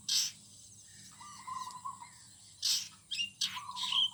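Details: Morning song of birds in a garden: a loud, high chirp opens, then a low, wavering warble runs for about a second. More piercing high chirps and a short whistled note follow near the end.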